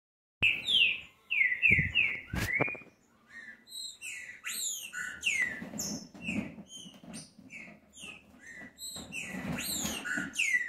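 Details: Green-winged saltator song, played to get other saltators fired up to sing: dense, overlapping whistled phrases rising and falling about once a second, with a few sharp knocks near the start.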